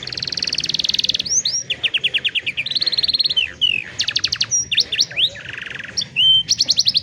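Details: Singing canary, recorded on a mobile phone as training for young canaries: a continuous high rolling trill, then repeated downward-sweeping whistles, buzzy rattles and fast chopped note series, with brief pauses between phrases.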